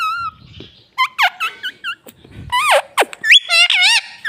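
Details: Talking pet parrot copying "mummy" and "papa", producing a dense run of short, bent, harmonic syllables and sharp squeaky notes, rapid and uneven, filling most of four seconds; a person murmurs briefly afterwards.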